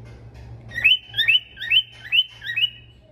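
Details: Male stone-curlew singing and whistling: five clear whistled notes, each rising then dipping, repeated about every half second over faint low hum.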